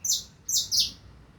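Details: Three loud, very high, harsh downslurred notes from a double-collared seedeater, 2025 season, the last two close together, then quiet.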